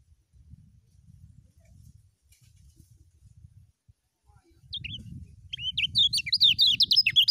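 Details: Lemon-bellied white-eye, called kecial kuning, in a full ngejos song style: a burst of rapid, high, twittering notes sliding up and down, starting after about five seconds of quiet with low rumbling background.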